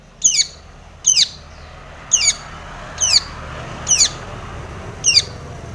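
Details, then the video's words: Long-tailed shrike in full song with imitated fill notes, meant to get other shrikes singing: grating, buzzy downward-sweeping phrases, some doubled, about one each second, over a low rumble. "SUARA cendet gacor full isian TOMICENG pancingan cendet agar bunyi"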